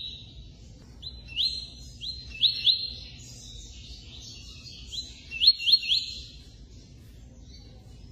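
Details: Double-collared seedeater song, given in short bursts of sharp, high whistled notes and thin buzzy phrases, with the clearest notes near the start and again around the middle, then quieter twittering trailing off.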